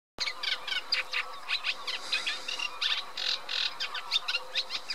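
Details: Eurasian reed warbler singing a dense, fast chatter of harsh, grating notes that tumble on without pause, with a faint low steady hum underneath.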